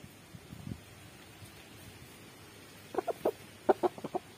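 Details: Big-breed chicken clucking: a faint low sound early on, then after a pause two quick bursts of short sharp clucks, about three and then five notes, over a steady low background hum.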